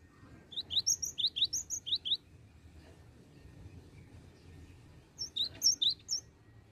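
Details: Cinereous tit giving a quick series of high, sharp repeated notes, about eight in under two seconds, then a shorter burst after a pause; faint low hum beneath; used as a lure call for catching tits.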